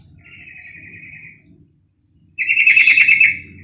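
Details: Female yellow-vented bulbul, calling to provoke males: a quieter buzzy trill, a short silence, then a loud, fast-pulsed rattling chatter of about a second over a faint low hum.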